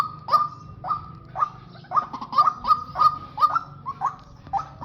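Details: Decoy pair of white-breasted waterhens, cock and hen, used for trapping, giving repeated loud nasal honks that start spaced and quicken into a rhythmic run of about one note per second, over faint low background noise.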